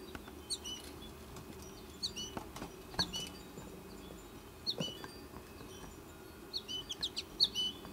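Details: Goldfinch chicks in their nesting tree, mother feeding one of them; scattered high chirps coming in loose bursts, with rustling and small clicks between them.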